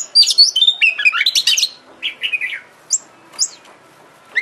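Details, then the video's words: Lure recording of an Oriental magpie-robin, used to make a kept bird sing eagerly and open its tail: a dense run of mixed chirps and whistles, then a few spaced, separate high notes. "Pancingan KACER agar GACOR dan EMOSI BUKA EKOR"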